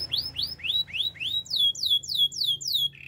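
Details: Brief canary training song: rising swept notes, then falling ones, each repeated roughly three times a second, ending in a low buzzy roll, with a soft low hum in the background.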